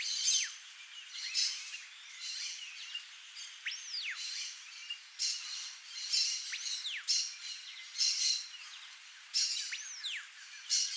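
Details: Wild, free-living frightened female bare-faced curassow (Crax fasciolata) alarm-calling: thin, high notes roughly every second, with several sharply falling whistles and hissy bursts between them.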